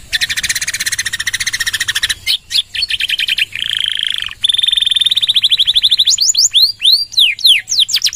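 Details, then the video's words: Canary song in the 'nembak panjang' style, used to prompt and train other birds. It opens with a dense buzzy rattle, then a steadier, lower whistled roll and a fast pulsing trill, and ends with looping up-and-down slurred notes. "Suara Kenari Gacor | Full Nembak Panjang!!"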